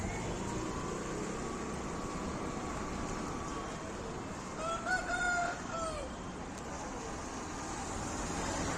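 An Aseel rooster gives one hoarse, drawn-out crow midway, rising then falling, over a steady hiss of background noise.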